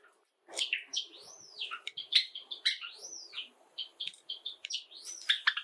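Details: Song of a pet Java sparrow, one of seven kept together indoors: looping, arched whistled notes mixed with clicks and ringing bell-like tones, delivered continuously and close by.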